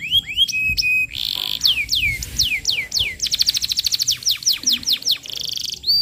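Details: Canary singing as a training lure for young canaries: clear rising whistles, a buzzy burst, a series of loud downslurred notes, then a rapid pulsed trill and a short rolling phrase.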